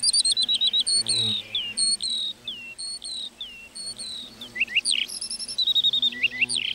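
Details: In a meadow, a lark delivers a restless high warble of sharp chirps and swooping slurred notes, the phrases tumbling quickly one after another.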